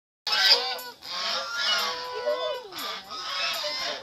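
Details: Angry wild geese giving harsh, raspy honks, several birds calling at once with overlapping nasal cries and some rising-falling wavering notes, continuous for about four seconds.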